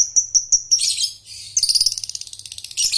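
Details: Lovebird trilling (ngekek), a lure for young birds learning the song: evenly spaced high squeaky chirps lead into a dense buzzy rattle and a fast pulsed trill of about a dozen beats per second.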